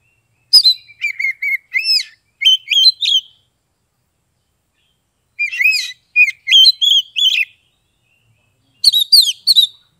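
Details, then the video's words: Oriental magpie-robin from Kebumen, Central Java, singing in the ngeplong style used as therapy to get mute or lazy birds singing: three bursts of loud, clear whistled and slurred notes, separated by silent pauses, with no background noise. "SUARA KACER NGEPLONG untuk terapi kacer bisu, malas bunyi, langsung respon dan gacor"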